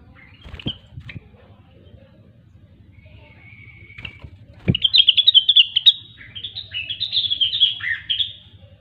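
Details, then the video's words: Grey-cheeked bulbul, locally called rengganis or cucak wilis, in vigorous gacor song: a few sharp clicks and a thin held whistle, then rapid warbled chattering phrases at high pitch in two bursts, over a low steady hum. "Rengganis/Cucak Wilis Gacor"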